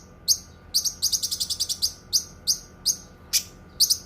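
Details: Cucak kinoi giving a short rattling cluster of quick high chirps, followed by single sharp chirps spaced roughly every half second.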